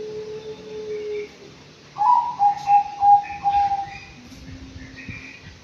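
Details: Five-month-old captive Anggungan in an aviary calls a rapid series of about five hollow, mellow notes, the first highest and the rest steady, with faint lower tones before and after.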